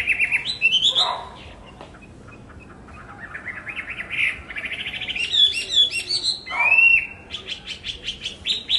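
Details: Chinese hwamei (Garrulax canorus), song.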